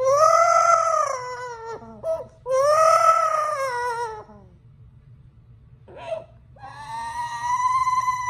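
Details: Captive yellow-naped amazon imitating a person crying for its owner: loud sustained wails rising then falling, repeated twice, a brief quiet gap with a small squawk, then a long steady whine.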